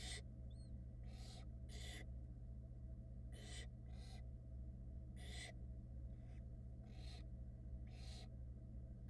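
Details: Roughly ten rough, noisy screeches from barn owl nestlings in Florida, 2022, as the wet mother dries off beside them, irregular bursts, one faint high squeak early, over a continuous low hum.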